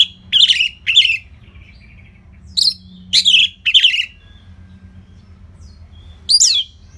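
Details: Orange-headed thrush song played for training other birds: separate short bursts of fluty, warbling notes with sliding pitch, spaced by pauses of up to two seconds, in a quiet room.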